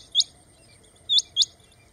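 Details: Rain quail (Coturnix coromandelica) calling: sharp, high, metallic rising notes, one single note then a quick pair about a second later, over a faint low background hum.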